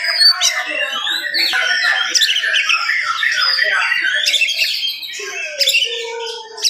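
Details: A rapid, energetic morning song from an oriental magpie-robin, used to provoke other magpie-robins. A busy mix of chattering, scratchy notes and whistles, with some lower tones near the end.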